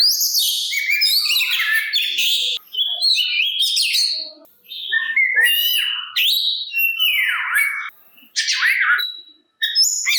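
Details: Kacer, or Oriental magpie-robin, delivering provocative song to make rival magpie-robins reply; bursts of varied whistles, sharp slurred notes and chattering phrases, several falling sweeps, broken by brief quiet gaps.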